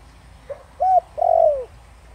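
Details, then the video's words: Spotted dove cooing in the 'thổ đồng' voice used to lure wild doves: a soft short note, a brief arched coo, then a long vibrating coo gliding downward, with a quiet background. "Cu gáy Giọng Thổ Đồng kích bổi cực nhạy nhanh nổi/kích cu rừng phản ứng gáy ngay"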